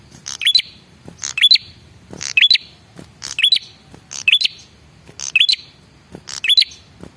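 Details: A male red-headed prinia's lure call, meant to provoke answers: rapid series of harsh crackling bursts, each capped by a thin upward whistle, about one phrase per second.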